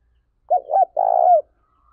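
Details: Loud, clear coo from a spotted dove lure bird meant to stimulate other doves: two rounded short notes running into a long even note that tails downward, with a faint thin sound afterward.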